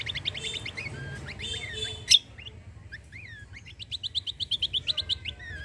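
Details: Cucak kombo singing in full bursts as a prompt for other birds: quick chirp runs, one loud sharp note, a few slurred downward notes, then a long even series of high chirps.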